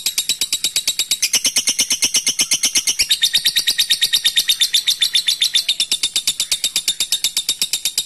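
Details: Long ngekek of a lovebird calling a rival: an unbroken, very fast rattling chatter of high, shrill notes, shifting slightly in pitch partway through and continuing for eight seconds.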